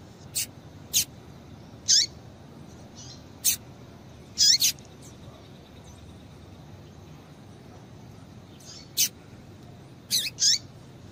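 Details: A female double-collared seedeater calls to get a male singing: thin, very high ticks and downward-slurred chips scattered irregularly across eleven seconds, with a long quiet gap in the middle.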